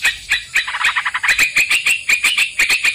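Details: Sooty-headed bulbul sound for luring birds into a trap: quick, bubbly chirps that tumble into a fast, lower warbling flurry, then settle into evenly spaced scratchy notes about twice a second.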